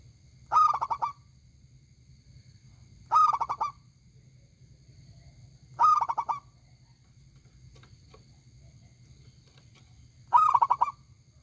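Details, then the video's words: Zebra dove of a local strain, praised for its big, ringing voice, repeats its rolling cooing phrase four times at regular intervals of roughly three seconds. Each burst is a rapid stutter of purring notes. Faint low background hum. "perkutut lokal gacor suara besar nyaring"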